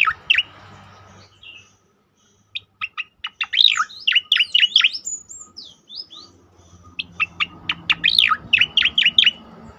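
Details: Cicakoreng (striated grassbird) in 'tembakan' song, played to teach and stir other birds into singing: piercing high chirps in rapid clusters, a few buzzy slurred whistles mid-way, then another long rattling series of sharp notes.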